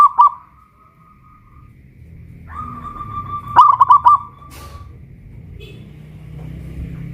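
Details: Caged local Pajajaran zebra dove in Kuningan, West Java, singing on a raised hoist; mostly a faint long hum of coo-like tone, broken by one brief phrase of four quick stuttered coos midway.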